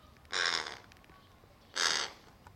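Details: Crow amid snack stealing, a nimble crow taking every treat given to its companion, which stalks it for dropped bits; two loud, raspy caws roughly one and a half seconds apart over a quiet background.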